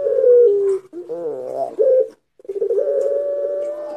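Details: Barbary dove of the pelung long-voice type, played as a lure. A held coo, then a wavering, rolling phrase, a pause, then a long, steady, drawn-out coo that rises slightly and holds.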